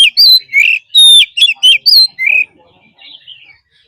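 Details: Oriental magpie-robin forest-style song for daily singing practice: a loud two-and-a-half-second volley of mixed slurred whistles, chirps and a clear held note, then soft, fading warble.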